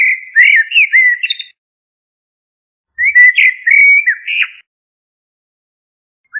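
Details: Common blackbird delivering two short bursts of looping, fluty whistles, each closing with a rough, higher chattering flourish, the second burst starting after a clear pause.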